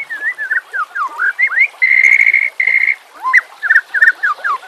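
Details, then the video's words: White-rumped shama song used as a lure and for training quiet birds, with trickling water behind: curving whistled notes, then two loud steady held tones, followed by more looping slurred whistles. "PANCINGAN murai BATU pasti langsung TAK BISA DIAM | pancingan murai TERBAIK"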